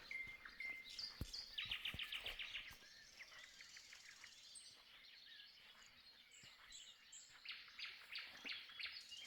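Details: Around 5 a.m. at first light, after singing all night, a Common Nightingale sings varied phrases of rapid whistles, dense trills and sharp chips, with other birds faintly chirping behind.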